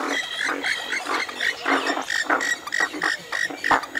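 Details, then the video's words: Western swamphen giving a run of harsh, nasal bursts, each with a brief whistled tone near the top, repeated roughly every third of a second with some louder honking notes mixed in. "Western swamphen (Porphyrio porphyrio) Birds Best Call Sound"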